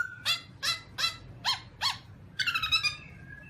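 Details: Black-throated laughingthrush (Garrulax chinensis) uttering a series of five short harsh notes about half a second apart, then a quick rattling burst and a thin trailing whistle over low background rumble.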